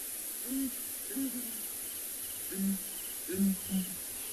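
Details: A breeding pair of southern ground hornbills at Ngala, South Africa, at sunrise in late December, give their booming duet: deep, hollow single and doubled booms every second or so over soft bush hiss; the female may be nesting.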